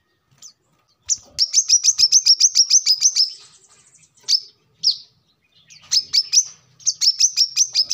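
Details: High rapid chirping bursts from a brown-throated sunbird, kept as a lure and training model for other birds, with longer trills broken by single sharp notes and short silences.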